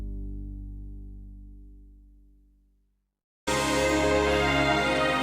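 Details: A fading musical chord gives way to silence, then bright instrumental background music starts, with no animal sound.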